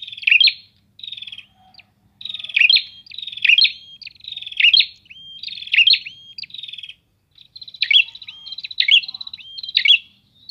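Prinias chatter in quick, high, buzzy bursts with sharp rising notes, phrases tumbling over one another roughly every second as several birds sing together.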